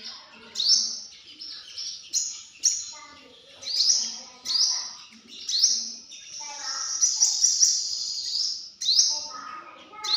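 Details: Sunbird giving high, piercing rising notes in irregular bursts, then a longer run of chattering high notes, with softer lower sounds, possibly voices or other birds, underneath.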